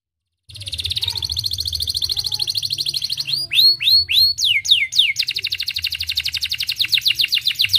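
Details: Canary song played to stimulate other birds to sing: a fast buzzy trill of rapid notes, then loud swooping descending and rising whistles around 3 to 4 seconds, then another quick repeated trill, with a low hum underneath.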